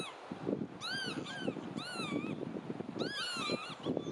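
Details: Marsh sandpiper calling: clear, plaintive arched notes with rich overtones, given in a double note, then a pair, then a final cluster of three, over a steady background of low rumbling thumps.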